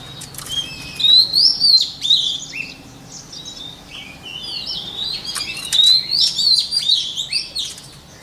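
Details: Two bursts of lively whistled song from a white-rumped shama, used for shama voice training, each a quick jumble of high slurred notes and chips, separated by a brief softer pause.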